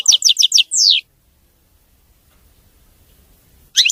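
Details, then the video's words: European goldfinch song, called clean and free of errors: a quick run of four high descending chirps, then a longer buzzy downward-sweeping note. Quiet low rumbling follows, then another chirp begins. "تغريد ملك الطيور المغردة الحسون (المقنين) نظيف وخالي من الأخطاء"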